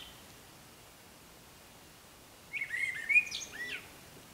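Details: Eurasian blackbird singing in pre-dawn darkness: after a quiet stretch, one mellow warbled phrase ending in scratchy higher twitters, heard from some distance against a soft background hiss.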